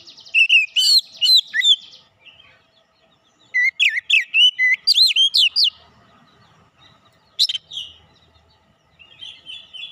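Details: Oriental magpie-robin (kacer) lure song to excite a bird into revealing its repertoire: three loud bursts of rapid, looping whistled notes, the second longest, then a brief sharp note and a soft high trill.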